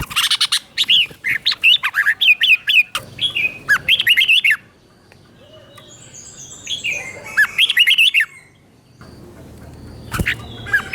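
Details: Red-whiskered bulbul kept as a teacher bird, its 'double' song used as training audio for captive birds: a long quick chatter of warbled notes, a pause with faint rustle, then a shorter phrase and a click.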